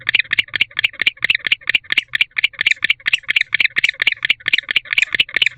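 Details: Bonded male barn owl chirping from an owl box in the evening, hoping to be joined by the female; rapid, rasping chirps repeated steadily about twice each second, faint low hum underneath.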